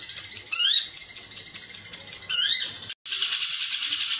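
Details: Lovebird in long cililin ngekek, a recording meant for training contest birds: sharp rising sweeping chirps at the start and middle, then a sustained shrill buzzing trill after a short silence.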